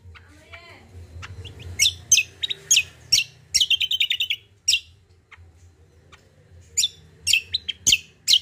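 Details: Common iora in lively song: scattered sharp high chirps, then a dense burst of quick repeated notes in the middle, a short pause, and more clipped chirps toward the end; quiet low hum underneath.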